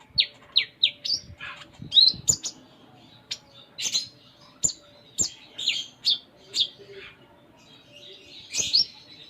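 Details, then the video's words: Kept Sunda minivet singing with a full repertoire: a run of four sharply falling whistles, then scattered high chirps and squeaks spaced about half a second apart, with occasional loud clicks. "Konin Gacor Full Isian"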